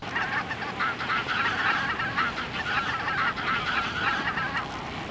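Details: A large flock of greater white-fronted geese (Anser albifrons), a few thousand gathered in open fields in Germany in winter, calling in a dense, continuous chorus of high yelping, laughing honks.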